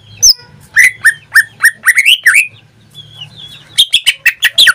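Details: Captive greater green leafbird singing: quick series of bright whistled notes rising in pitch, a short quiet thin phrase, then a dense burst of sharp chirps, over a low faint hum.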